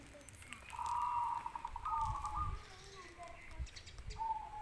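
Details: Zebra dove cooing in short trilled, slightly wavering phrases, several in a row, while a person talks nearby and low rumbling noise runs underneath.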